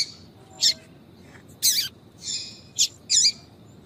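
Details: Calls of a female yellow-bellied seedeater, the "tui tui" used to draw males: brief high squeaky chirps and a couple of longer rasping, buzzy notes, spaced irregularly.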